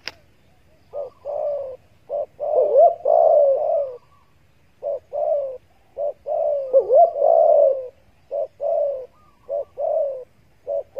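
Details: Spotted dove (Spilopelia chinensis) coo call, a homemade caller used in hunting to attract doves: soft, low, hollow coos in short bursts with a few longer rolling phrases between, over a quiet background.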